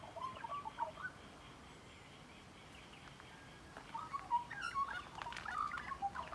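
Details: Magpie heard at close range, giving clear whistled, warbling notes in a short burst at the start, a pause, then a longer run of fluting, wavering phrases toward the end.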